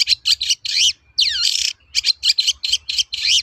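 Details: Long-tailed shrike song used as a lure to get trained birds singing: a rapid string of rasping chattering notes broken by one long descending sweeping phrase.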